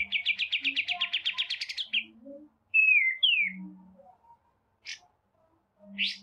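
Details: Song of the white-rumped shama, prepared as masteran for training birds: a fast run of about fifteen buzzy repeated notes, two loud falling whistles, then two short harsh bursts in a quiet background.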